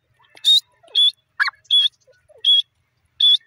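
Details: Francolin (teetar) giving short, harsh notes repeated at irregular intervals, with one lower squawk and a few faint soft chirps between them.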